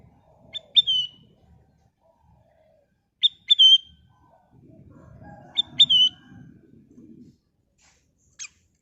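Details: Sooty-headed bulbul with golden plumage, song played to prompt other birds to sing: three matching phrases about two and a half seconds apart, each a quick pair of sharp notes ending in a falling whistle, with a soft low rumble between.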